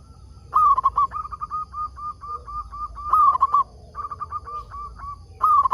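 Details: Lure zebra dove, a local bird meant to make wild doves reply, delivering long strings of quick, evenly spaced coos, broken by three loud warbling phrases near the start, middle and end.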